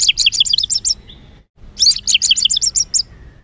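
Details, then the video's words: White-rumped shama, worked up and singing a rough training phrase meant to excite other birds: two bursts of rapid, very high, tinkling chirps separated by a short pause. "Materan kasar MURAI BATU penuh emosi...pacingan burung agar cepat emosi"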